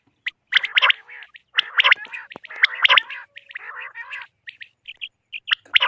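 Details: Quail calling, apparently for hunting and netting, in Pakistan's KPK region: harsh, buzzy bursts of short notes, several quick notes run together, with lower, nasal harmonic squawks mixed in.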